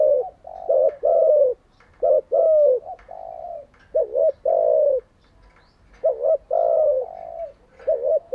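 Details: A decoy spotted dove calls for training newly caught and decoy doves; soft, low hooting coos come in short phrases, with a quick double note followed by a longer drawn coo, repeated every couple of seconds.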